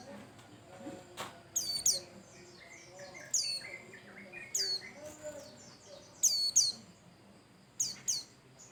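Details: Bustomi-type white-eye singing lively as a prompting lure for other birds: repeated pairs of sharp, high, downward-slurred chirps every second or two, mixed with fainter twittering and soft lower notes.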